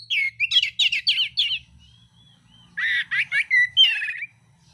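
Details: Oriental magpie-robin, mintal variety, in fighting song: a quick series of rolling, warbled chattering notes, a short pause with a soft whistle, then another burst of coarse warbles and a final slurred note.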